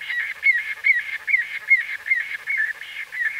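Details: White-fronted bee-eater calls recorded close up: short nasal, slightly rising notes repeated about twice a second over a dense, steady chorus of similar calls in the background.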